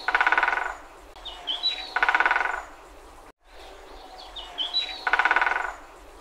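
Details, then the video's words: A woodpecker drums in rapid rolls of hard taps, each burst under a second and recurring every few seconds, with faint chirps from other birds between. "woodpecker sound effect"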